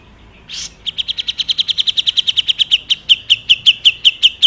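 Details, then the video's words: Crested finchbill in lively full song, used as a tutor recording for songbirds: one harsh burst, then a fast chain of sharp high chips, about two or three per second, steady and slightly slowing toward the end. "JENGGOT GACOR BESETAN MATEP PAS BUAT MASTERAN BURUNG KICAU"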